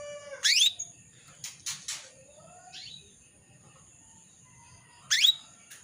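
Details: Hen canary calling to a male as a singing lure. A sharp rising chirp opens, followed by a few softer notes and a low drawn-out slur, then quiet before another loud rising chirp at five seconds; faint constant hiss behind.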